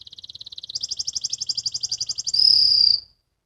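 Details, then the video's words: Canary youngster practising ngriwik song: rapid pulsed trill that jumps higher partway through, ending in a loud sustained high whistled note. "KENARI BELAJAR BUNYI, BELAJAR NGRIWIK"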